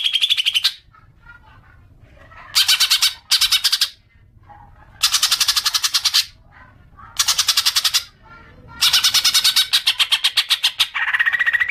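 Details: Green magpie chattering used as a lure to draw long chatter from other birds: repeated bursts of fast, harsh, rattling notes separated by quiet gaps, the last burst tailing off into lower rasps.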